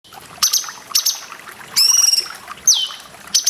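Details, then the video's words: Grey-cheeked bulbul song recorded as a training master for cage birds: high sustained whistles, a buzzy stacked call and a sharp falling whistled sweep, with splashing water bursts between. "CUNGKOK MASTERAN PALING DICARI ❗️ DENGAN SUARA AIR"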